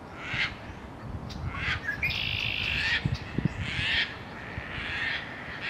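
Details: Colony of terns on an abandoned building's roof by the Cataraqui River, during courtship and mating activity; loud, rasping, drawn-out cries follow one another closely, some overlapping, over low rumbling background noise.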